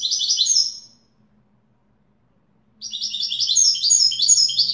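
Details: Widani-style European goldfinch song: the tail of one twittering phrase, about two seconds of silence, then a new fast run of bright, chattering trills, over a faint low hum.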